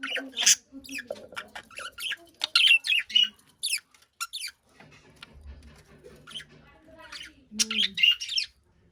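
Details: Chattering chirps from a caged budgie: bursts of sharp, high squeaks and scratchy warbled notes in quick runs, a quieter stretch in the middle, then more shrill chirping at the end.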